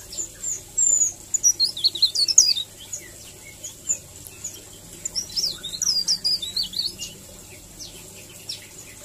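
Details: High, sparkling twitter from a leaf warbler in a melodious rolling style used as a tutor recording, delivered in quick, choppy bursts of thin slurred notes with short pauses between phrases.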